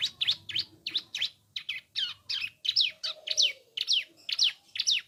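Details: Bar-winged prinia, kept as a cage songbird, delivering its chattering song: rapid series of sharp, high descending chirps repeated about twice per second, with a faint lower whine in the background.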